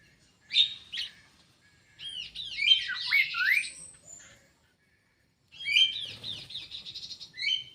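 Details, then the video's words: Aviary-kept kidangan kaso kaso bird producing loud, rapid bursts of down-swept chirps and squeaky whistles in two energetic bouts separated by a second of silence. "BURUNG KIDANGAN KASO KASO"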